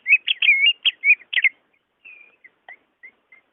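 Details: Greater green leafbird, recorded to get a caged bird slow to sing going: a rapid cluster of warbled, looping whistles, followed by a few soft, thin whistled notes spaced apart.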